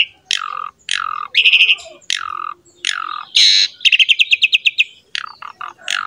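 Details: Asian pied starling song for luring and tutoring other songbirds: repeated downslurred whistles about once a second, broken by a harsh burst and a fast, even series of sharp clicking notes.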